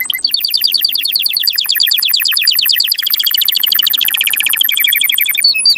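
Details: Canary song intended to rouse males and females for mating: an unbroken run of fast rolling trills shifting tour by tour, ending with a few sharp high whistles.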